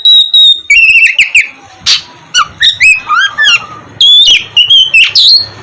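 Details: Oriental magpie-robin in vigorous, loud 'gacor' song, used as a lure to get lazy magpie-robins singing in the morning: sustained high whistles, rising slurred phrases and harsh buzzy bursts mixed in quick, varied succession.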